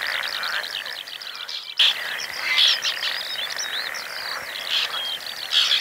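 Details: Chattering chorus of white-winged terns at their Oostpolder breeding site in 2015, their second year nesting there: continuous scratchy, squeaky calls from numerous birds, with brief sharper notes standing out, briefly dropping out near the start.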